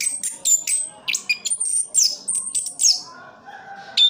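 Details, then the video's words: Orange-headed thrush in Sidoarjo, East Java, Indonesia, giving a quieter stretch of very high thin squeaks and sharp chips in short bursts, fading into near silence before a final chirp, low hum in the background. "Anis kembang "Anti Gempa". Rooll full anti streees boss."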